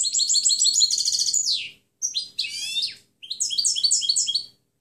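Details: Clean goldfinch song recorded to train other birds: three phrases of rapid liquid twittering, one with a rasping buzzy sweep, separated by brief pauses.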